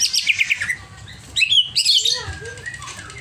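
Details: Greater green leafbird in an agitated, overexcited state: bursts of high, chattering, slurred notes, then a pause, then more bright twittering phrases and a few lower, softer whistles near the end.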